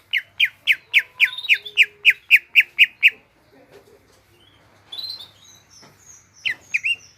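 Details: Rapid, regular series of sharp downslurred chirps from a captive greater green leafbird, about four per second, which stops abruptly and gives way to near silence, faint chatter and a few high whistled notes near the end.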